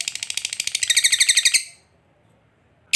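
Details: Lovebird's 'ngekek' trill, kept as a lure to get other lovebirds singing: a quick run of high chattering notes that swells louder, stops after about a second and a half, then silence and a brief final burst.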